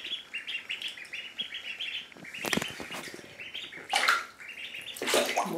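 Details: Three Indian Runner ducklings swimming in a bathtub, giving a steady series of short high peeping chirps, with splashing water and a woman speaking softly.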